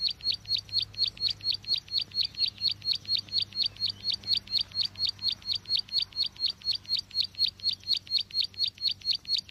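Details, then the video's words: Bar-winged prinia lure call for bird trapping: one high, clipped chirp repeated steadily about twice a second, very regular and even, with a faint low background hum. "Suara pikat burung ciwa/cici glaga/ciblek sawa"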